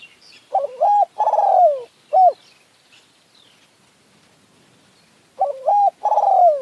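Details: Spotted Dove in a decoy-trapping contest in mountain forest, decoy against wild bird: two full cooing phrases, each a clipped hoot, a long sliding downward coo and a short closing note, with a quiet gap between.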